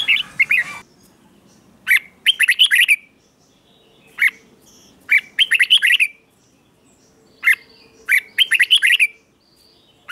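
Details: Red-whiskered bulbul in morning song training: a single sharp note followed by a quick burst of ringing chirps, the pattern repeating four times across the recording.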